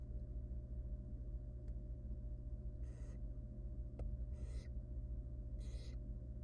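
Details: Wild barn owl nestling in a monitored nest box, begging as its mother helps it with a huge rodent; three harsh, breathy hissing rasps, each under half a second and spaced about one and a half seconds apart, over a steady low hum.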